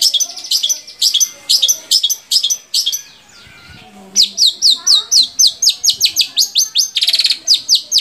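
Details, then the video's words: Long-tailed shrike song for getting captive shrikes to sing: rhythmic sharp high notes, a short pause, then quick downslurred whistles and a brief buzzy trill. "SUARA BURUNG‼️Cendet mana aja yang gak mau gacor bila seperti ini"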